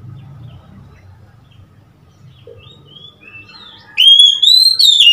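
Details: Oriental magpie-robin, 3 March 2021. Soft, scattered whistles are followed by a sudden loud, clear whistle that climbs slowly and breaks into a few quick slurred notes near the end.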